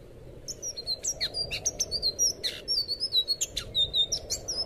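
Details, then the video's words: Blue thrush (anis biru) singing for captive bird training, a torrent of high sweet whistled notes and steep downslurs in rapid sequence with sharp clicks, beginning after a half-second pause, faint hiss behind. "suara burung anis biru buat masteran burung bahan"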